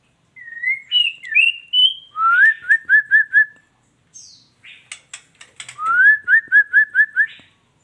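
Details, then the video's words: Female white-rumped shama: rising whistled slurs followed by a fast series of five short repeated whistled notes, a pause with clicks, then the same rising slur and repeated-note run again. "suara burung muray batu betina"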